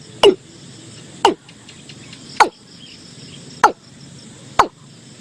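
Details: Watercock lure calls from 2022: five quick, hard notes dropping steeply in pitch, about a second or more apart, with a continuous shrill insect buzz behind them.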